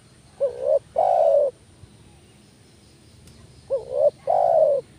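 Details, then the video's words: Spotted dove lure call, used to rouse doves that are slow to call: two phrases about three seconds apart, each a short hooked rising coo followed by a longer, steady, mellow cooing note, over quiet background hiss. "panggilan tekukur males bunyi kuk 1"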